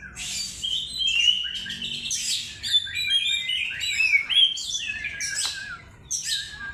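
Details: Oriental magpie-robin singing as a lure recording: loud, dense medley of clear whistles, slurred upslurs and buzzy chatter, delivered almost nonstop with small gaps, low hum faintly underneath.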